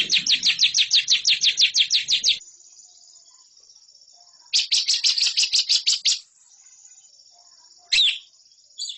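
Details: Lovebird training recording for competition birds: bursts of fast, harsh chattering notes about two seconds long, separated by quieter thin high whistled stretches, then a short final burst.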